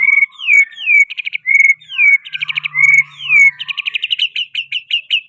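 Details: White-rumped shama singing a rich repertoire of learned song fill: clear whistles sliding downward alternate with dry rapid stuttering trills, ending in a quickening run of sharp repeated chips; faint low hum in the background.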